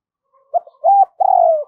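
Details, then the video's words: Decoy spotted dove giving thúc and gáy calls in the giọng thổ style to lure wild doves in: two short mellow notes, then one long, drawn-out coo that slides gently downward. No other sounds. "Chim Cu Mồi Thúc + Gáy Gọi Bổi Nhanh Về Cội"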